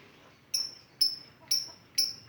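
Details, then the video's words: Lovebird ngetik lure sound: four thin, high, whistled chirps evenly repeated about every half second, each short with a falling tail. "Love bird ngetik pancingan ampuh"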